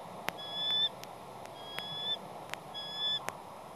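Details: Bald eagle at its Channel Islands nest, shortly after a pair's incubation changeover, upset by something flying around the nest: three high, thin, squealing calls about a second apart, slightly wavering, with sharp clicks between.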